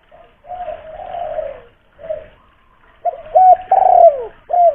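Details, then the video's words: Spotted dove with a loud voice from Kuningan, West Java, used as a lure to set kept doves calling: soft drawn-out coo, a brief pause, then louder, slurred, descending coo notes in quick succession. "raja pancingan burung tekukur / derkuku"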